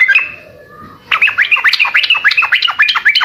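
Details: Sooty-headed bulbul, gacor song meant to prompt other birds to answer: one clear note, a quiet second, then a steady burst of rapid, evenly spaced chirps running to the end.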